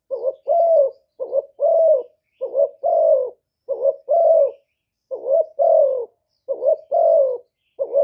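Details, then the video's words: Spotted dove coos played as a lure for wild doves, a run of low, rough two-note coos, short then long, repeated steadily roughly every 1.2 seconds in a quiet setting. "CU GÁY MỒI ĐẤT, CU ĐẤT GÁY, CU CƯỜM GÙ KÍCH BỔI, TIẾNG CHIM CU MỒI"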